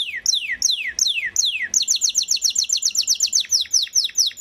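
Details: Belgian Waterslager canary song: several long down-sweeping whistles, then a rapid run of short bright repeated notes and more falling slurs.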